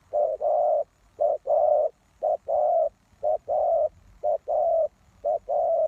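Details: Spotted dove used as a lure for wild doves, giving low mellow cooing phrases: a short coo followed by a longer drawn-out coo, the pair repeated about once a second, steady and clear over quiet background.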